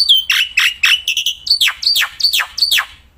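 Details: Black-winged myna singing loudly outdoors: a run of about eight strong notes, each a high whistle falling into a harsh buzzy slur, given roughly three times a second.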